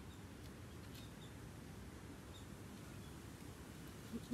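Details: Steady low rumbling background noise with no animal call, ending in a short soft knock.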